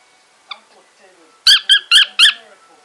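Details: Male pet cockatiel indoors, excitedly serenading a piece of wool, starts with one faint chirp, then four loud, bright, harmonic whistled chirps in quick succession.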